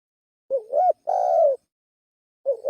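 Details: Single spotted dove lure phrase: a wavering, up-and-down low note runs into a sustained mellow coo, and a further phrase starts just before the end.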